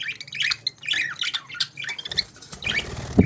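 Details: Budgerigars chirping in the morning: dense, fast warbling chatter of short twittering notes and squeaks, ending with a couple of low thumps.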